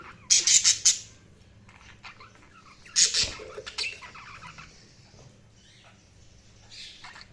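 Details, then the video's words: Budgerigar chirping: two loud bursts of rapid, shrill, scratchy chirps, each followed by softer trailing notes and quiet pauses, with a faint squeak near the end. "Budgies Sounds| Budgies Chirping sound"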